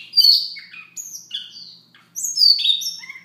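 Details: Soft morning song of a Siberian rubythroat, a fast jumble of high whistled, slurred and chirping notes in quick phrases broken by short gaps, with a faint low hum in the background.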